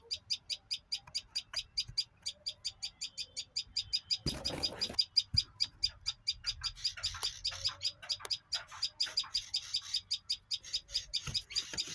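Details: A bird chirps rapidly and continuously in high, clipped notes, roughly four to five per second, with a brief rustling clatter partway through and a few softer, lower chirps mixed in later.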